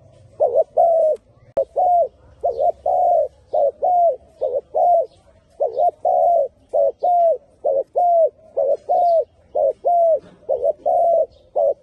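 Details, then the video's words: A spotted dove sings a long, steady run of soft, low cooing notes, short and drawn-out coos alternating, more than twenty notes in twelve seconds, with a single sharp click early on and faint low rumble. "Very Good Dove Singing 😱❤️ លលកម៉ាលេសម្លេងល្អណាស់"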